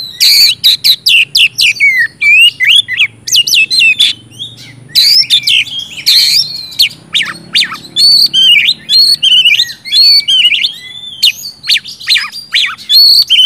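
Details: Dense 'gacor ngeplong' outpouring from an oriental magpie-robin, played to get silent birds of its kind singing: rapid harsh bursts and warbled whistles packed tightly, with a faint low room hum underneath.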